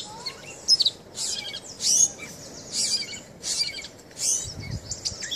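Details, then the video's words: A grey catbird in a long singing bout of mimicry at Point Pelee National Park, Leamington, Ontario, sings a jumbled run of squeaky, scratchy, high phrases, each different, about every half second, over a low steady hiss. "Cat Bird Sounds"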